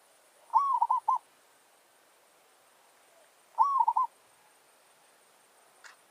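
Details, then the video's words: Village zebra dove calling as a decoy to draw wild birds into a territorial challenge, giving two clear rolling coo phrases of quick pulsed notes about three seconds apart, then a brief click. "Merbok kampung - Anggar buat hal..pijak tak jatuh. Burung hutan siap bagi tandang."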